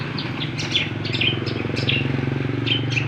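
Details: Cucak kombo in lively song, giving quick high chirps and short whistled notes in loose bursts, partly masked by a loud, constant low engine-like hum.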